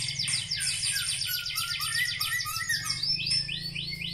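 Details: A black-legged white-rumped shama gives a continuous, quieter song of overlapping high chirps and short slurred whistles over a steady low hum.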